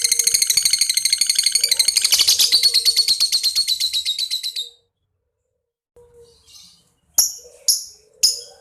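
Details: Young fighter lovebird (balibu) giving a sound meant to make other lovebirds respond: a long run of rapid, buzzy, rasping notes that fade out, a silence, then three sharp, separate chips about half a second apart.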